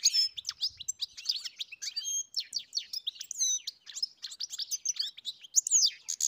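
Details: European goldfinch singing: a fast, continuous twittering of high chirps, trills and short slurred notes, tightly packed and varied, with no pauses across the stretch and no other sounds.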